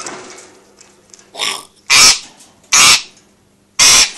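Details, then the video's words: An African grey parrot in a quiet room gives four harsh, raspy, hissing "ggggghhhhewww" bursts, each about a third of a second long and roughly a second apart, while a nearby parrot throws an angry fit. "you will hear a "ggggghhhhewww' sound... that is our African Grey"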